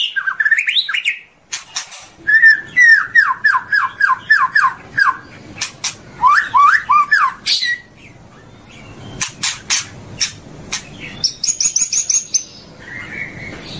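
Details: Murai batu, the white-rumped shama, on a long tutor recording meant for morning: a rapid series of repeated downslurred whistles, about three a second, then a pause and high, thin, buzzy phrases.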